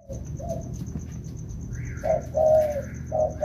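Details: Two wild-caught spotted doves being trained during the rainy season, when rain prevents trapping; short mellow coos, a soft pair early then a louder drawn-out coo near the end, over low rumbling background and a steady faint high whine.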